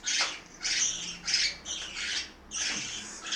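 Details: Parakeets feeding at mealtime in Itaim Paulista, São Paulo, Brazil: a few drawn-out, grating squawks, each lasting about half a second, separated by brief pauses.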